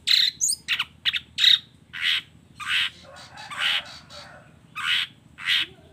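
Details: Long-tailed shrike in full song with mimicked fill-ins: a quick cluster of chattering notes, then loud, broad, grating squawks spaced roughly a second apart.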